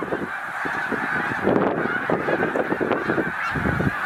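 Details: Huge migrating flock of snow geese, roughly 100,000 birds, resting at Middle Creek Wildlife Refuge on the way north: thick, unbroken clamour of honks layered into a steady wall of sound.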